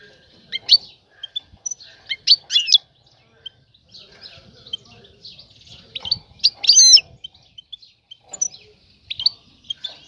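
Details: Mating calls from a female European goldfinch trying to draw a male's attention: uneven high chirps and quick twittering bursts, loudest around two-and-a-half and seven seconds, with a faint low background murmur.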